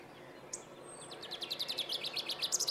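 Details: Male common chaffinch singing at Planina Gornja, Croatia, on 22 March 2014: a brief high note, then a quickening run of bright repeated phrases that ends in a sharp flourish, over a quiet background.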